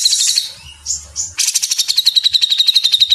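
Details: Grey-cheeked bulbul training song in fast 'mesetan' style: short sharp notes and whistled upslurs, then a steady rapid trill of clipped pulses, roughly four to five per second, to the end.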